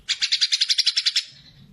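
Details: Greater green leafbird with a short burst of its gacor fighter song, used to stimulate other birds during group or young-bird training. A single quick rattle of about twelve bright, evenly spaced high notes fading away.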